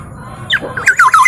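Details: Local East Javan black-naped oriole, kepodang emas, in a varied song: harsh squawky notes rising then a run of short whistled and buzzy phrases dropping from high to mid pitch, with faint background hum.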